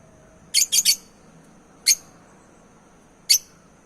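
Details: African lovebirds, male and female, giving harsh high chirps: a quick triple burst, then single chirps about every one and a half seconds, over a quiet background.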